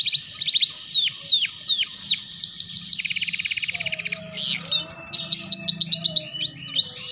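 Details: Canary song for training young canaries in the ngeriwik style: high descending slurred whistles, then a fast buzzy trill, then rapid chirping notes, with a faint low hum.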